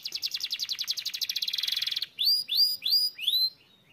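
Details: Canary song: a fast, high rattling trill of evenly repeated notes for two seconds, then four bright, rising whistled slurs.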